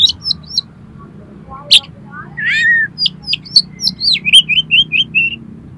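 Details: Kacer, the Oriental magpie-robin, singing a lure song meant to trigger another kacer to sing and spread its tail; short high chirps and a drawn rising-falling whistle, then a quick series of sharp notes ending in rapid repeated trills, low hum behind.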